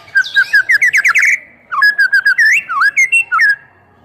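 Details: White-rumped shama in vigorous full song meant to spur other shamas to respond: a rapid run of rising chirped notes, a brief gap, then another string of warbled, twisting whistles.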